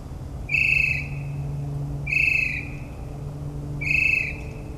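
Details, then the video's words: Northern mockingbird singing at night in suburban New Jersey, a mimic: three loud, slightly downslurred whistled notes about every one and a half seconds, over a steady low hum. "Mockingbird's Nocturnal Performance"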